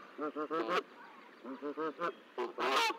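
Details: Goose at a nest in Decorah on hatch day, 13 April 2024, with three goslings visible and more eggs nearly hatched: rapid runs of short, stacked, nasal notes in two bursts, ending in a louder harsh, rasping honk.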